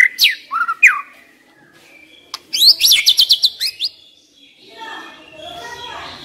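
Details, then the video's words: Decoy white-rumped shama giving a few loud swooping whistles, then a rapid series of high downslurred notes, after which only a soft blurred background murmur remains. "Chòe lửa mồi hót cực hay"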